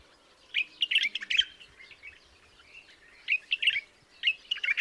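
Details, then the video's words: White-eared bulbul (Pycnonotus leucotis) singing bright, bubbly phrases of quick chirpy notes in bursts, with short pauses between, over a quiet low hum. "The sound of the white-eared nightingale singing"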